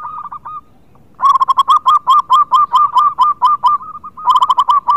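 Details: Local zebra dove in full song, used to prompt reluctant birds, delivers a long run of loud, evenly spaced rolling coo notes, about four per second, then a brief pause and another quick burst.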